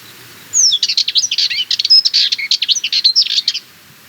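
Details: A Sardinian warbler delivers a three-second burst of rapid, harsh rattling notes interspersed with thin whistled flourishes, a fast angry-sounding chatter that starts and stops abruptly.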